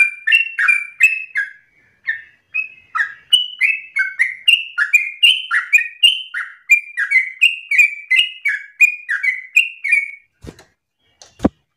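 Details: Eager 'ropel' singing by a sooty-headed bulbul, used to train other birds: rapid falling-rising whistled pairs for about ten seconds, a short gap near two seconds, ending in silence broken by two sharp clicks.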